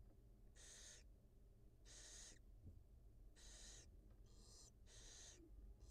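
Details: Barn owl mother in the wild feeding two newly hatched nestlings on a live nest camera: five rasping, noisy hisses of about half a second each, separated by brief pauses, against faint background hum.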